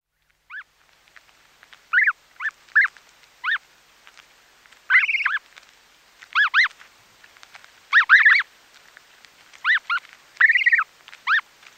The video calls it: Snow Goose. Calls CU From Chicks Feeding, Sounds Of Grass Being Pulled Out